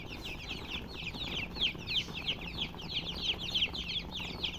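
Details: Young domestic chicks give rapid, piercing peeps about three per second, each note sliding downward, the flock calling together over a quiet low drone.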